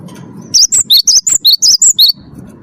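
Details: Wingko-type cinereous tit, first-place winner, delivering its 'gacor' song meant to coax other birds into singing: nine crisp, very high chips alternating between two pitches in a tight, rhythmic burst.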